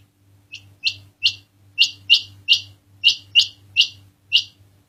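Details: Quail calling: short, high, sharp chirped notes given singly or in quick pairs, about ten in five seconds at uneven spacing, over a faint steady low electrical hum.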